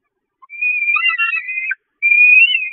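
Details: Hungry peregrine falcon chicks at a nest on the Catharinakerk, 5 May 2021, attacking their mother, who flees to the grate. Drawn-out, high, wavering whining wails in two bursts, the second rising slightly at the end.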